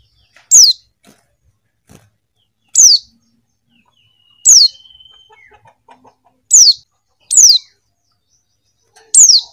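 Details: Six high, falling chirps from a female Buxton's white-eye calling to a male, irregularly spaced one to two seconds apart, with soft clicks, rustling and a faint steady tone in the background.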